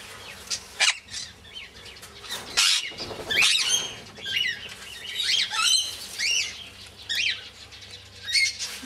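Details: Two tame pet sun conures give quick, sharp chirps and chattering notes, with a flutter of wings.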